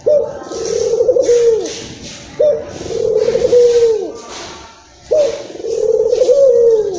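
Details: Indonesian local Barbary dove in an excited state, its coo played to stimulate other doves; three long, throaty rolling coos roughly every two and a half seconds, with faint hissing in the background.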